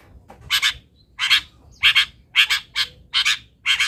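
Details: Long-tailed shrike, local cendet, giving fill-in song material for training: seven hoarse, double-pulsed rasping notes in steady succession, about two per second, with a quiet background.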